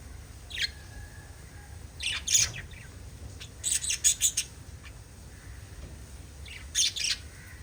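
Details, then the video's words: Pet lovebirds let out loud, shrill chirp bursts in quick clusters, including a rapid run of four piercing notes, separated by quieter gaps. "LOVE BIRDS CHIRPING sounds"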